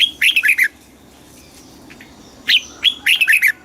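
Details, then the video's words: Thai red-whiskered bulbul, southern master song style for exciting caged birds and teaching young: a short burst of lilting warbled notes, a long quiet gap, then a chirp and another rapid warbled phrase. "เสียงนกกรงหัวจุก สำหรับต่อ หรือ เปิดให้นกคึก"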